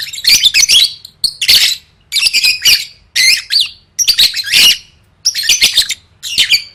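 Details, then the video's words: Gacor gantang training song from a lovebird: loud, buzzy, squealing phrases about a second long, repeated with short gaps in between. "Suara Burung Lovebird III Latihan Gacor Gantang Siap Juara"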